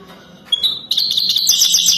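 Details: Wild European goldfinch in mating song: one or two thin high notes lead straight into a dense, rapid, buzzy twitter that fills the rest of the moment.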